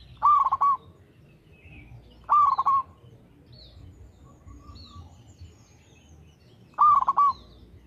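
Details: Actively singing local zebra dove: three stuttering coo phrases spaced about two to four seconds apart, each a mellow tone chopped into fast beats, with scattered faint chirps from other birds.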